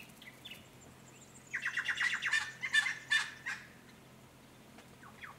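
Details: Noisy friarbird (ssp. monachus), likely one of a pair visiting an artificial pond or reed-edged dam, Capertee Valley, NSW, on a warm sunny day in mid-September 2019: a two-second burst of harsh, raucous cackling notes, with faint chirps before and after.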